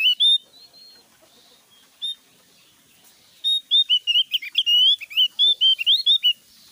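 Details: Javan grey-throated white-eye (opior jawa) singing loudly: a burst of high notes, a lone chirp, then a rapid run of clear, high, warbled and slurred whistles with many short notes, on a quiet background.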